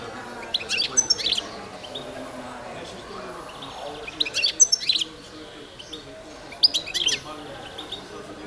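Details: . European goldfinch of the Balkan subspecies Carduelis carduelis balcanica, competition entry in the 2022 World Championship in Goldfinch Song held by a Serbian breeders' association. Three bursts of high, bright twittering chirps at about one, four-and-a-half and seven seconds, over a faint low background murmur.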